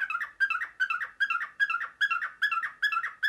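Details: Pet male cockatiel indoors early in the morning imitating a printer: rapid rhythmic chirped bursts, each a cluster of short harmonic notes, repeated about every 0.4 seconds without pause.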